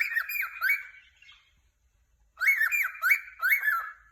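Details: Cockatiel in a happy mood chirps in two quick bursts of scratchy, arched whistled notes, about four notes each, separated by a second of silence.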